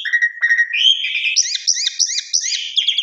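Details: Jalak suren, the Asian pied starling, in a lure recording to spur birds into song: low steady whistles climbing into a fast series of high, wavering, repeated chirps, then a descending slur.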